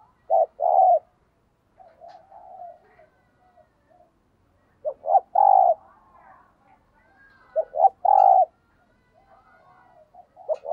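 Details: Decoy spotted dove cooing in the thúc gù style: well-spaced phrases of two short low notes and a longer coo, separated by soft murmured notes, in otherwise quiet surroundings.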